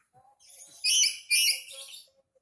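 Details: Black-capped lory in an angry mood delivering a pair of back-to-back harsh screeches, each about half a second long, over faint softer indoor sounds.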